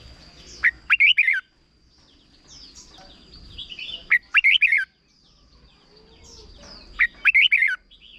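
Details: Short doubled-style song of a Thai red-whiskered bulbul, used for tutoring young birds. Three lively phrases of rapid slurred whistles, each about half a second long, recur every three seconds against a thin constant high-pitched tone.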